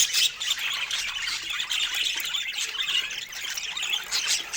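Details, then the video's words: Pet budgerigars feeding on fruit, filling the air with a continuous jumble of shrill chirps and warbling twitters, loud at the start and then even throughout. "Cute Budgies Making Sweet Sounds While Eating Fruits"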